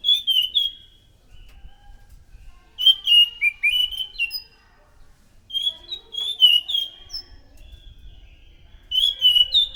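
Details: Orange-headed thrush singing loudly, used as a lure to draw in other thrushes: varied high whistled phrases with trills and slurred notes, delivered in four separate bursts with pauses between them.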